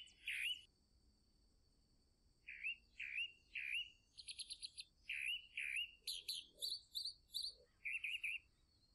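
Chalk-browed mockingbird singing a varied run of clear, bright phrases, slurred notes and quick buzzy trills, each repeated in short bursts about every half second, with no other sounds.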